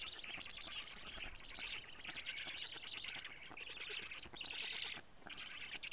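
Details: Feeding of big fish at a black stork nest in Karula, Estonia, recorded by live camera at 17:55 on 14 June 2017; loud harsh buzzing calls in rough bursts, strongest near the five-second mark.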